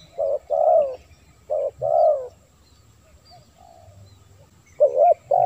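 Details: Recording of a spotted dove used to call wild doves: two pairs of soft hooting coos, a quiet pause of about two seconds, then another pair of coos.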